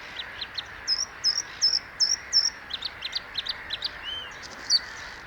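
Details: Singing Bluethroat (Luscinia svecica): a run of five identical high, clipped notes at a steady pace, then quicker varied ticking and chirping notes, ending with one bright high note.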